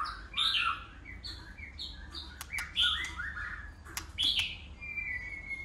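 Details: White-rumped shama switching voices as it sings in competition: softer varied warbles and chirps with scattered clicks, ending on a long, thin, steady whistle.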